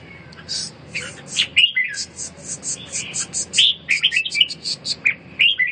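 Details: Red-whiskered bulbul kept while recovering from a cough and respiratory weakness, giving lively bright whistled phrases repeated throughout, over a steady series of high thin ticking notes.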